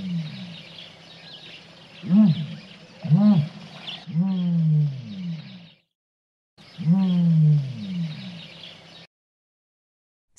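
Ostrich giving deep, hollow booming hoots, about one a second, each swelling then falling away, over a steady faint hiss.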